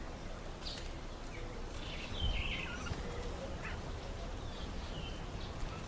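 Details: Red-faced mousebirds feeding in a nectarine tree give clear, descending whistled notes in short bursts, loudest near the middle, with a low rumble of background noise.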